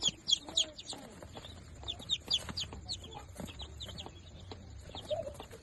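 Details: Chorus of day-old Darag native chicks, fifteen newly hatched, with loud piercing cheeps at the start, then rapid overlapping high peeps, each a quick downward slur, above soft scratching sounds.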